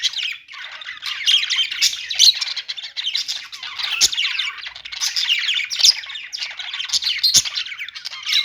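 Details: Unbroken budgerigar warbling, many overlapping squeaks and chirps forming a lively chatter, with scattered sharp clicks.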